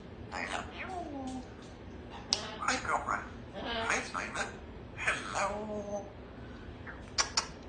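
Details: Female Congo African grey parrot kept as a pet in a country home, practising words in the morning; a run of chattering, speech-like phrases with squeaky bursts and short gaps, recorded in a small room.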